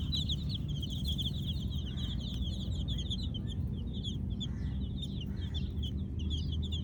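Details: Kolor baby chicks at night making short high peeps in an overlapping flock chatter, partly buried under a strong steady low hum.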